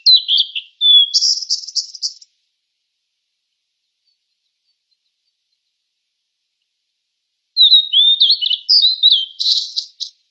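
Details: Fork-tailed sunbird singing two high twittering phrases about six seconds apart, each a quick run of thin slurred whistles followed by buzzy rapid notes, with silence between.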